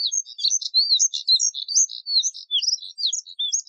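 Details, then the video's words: Dense scratchy twitter of a Moussier's redstart, quick high chirps and buzzy slurred notes delivered in an unbroken stream, no other birds or noise. "Colirrojo Diademado Canto! Colirrojo Diademado Llamado! Voz! Sonido!"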